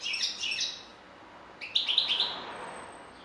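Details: European goldfinch giving two short bursts of twittering chirps, the second louder and harsher, with a quiet spell between them.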